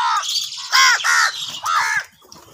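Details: Crows fighting for food, calling loudly and angrily. Four harsh, nasal caws arch down in pitch, each lasting about a quarter second in quick succession, then faint background noise follows.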